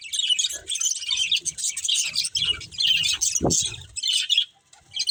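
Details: Chirping from a breeding pair of budgerigars, bursts of busy high twittering warble broken by short pauses, with one sharp squawk-like sweep near the middle and low knocking sounds underneath.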